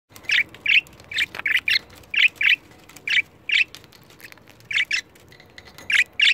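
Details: Two pet budgerigars reacting to a camera they dislike give short, harsh squawking chirps in pairs, about a dozen bursts separated by brief pauses, in a quiet room.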